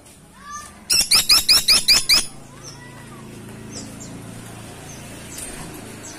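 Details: Caladi tikotok, a freckle-breasted woodpecker heard calling energetically: six rapid, piercing high notes in about a second, followed by steady low background hum and faint distant chirps.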